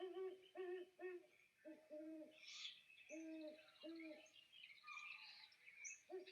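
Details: Great Horned Owl in Portage County giving deep, soft hoots in a rhythmic run of about eight notes, some closely paired; faint higher bird chirps sound in the background.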